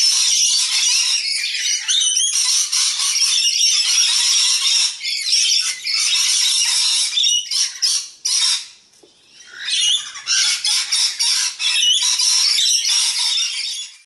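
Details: Several juvenile rainbow lorikeets quarrelling over food in their daily squabbles; long stretches of loud, grating overlapping screeches broken by short gaps, with one near-silent pause before the racket resumes.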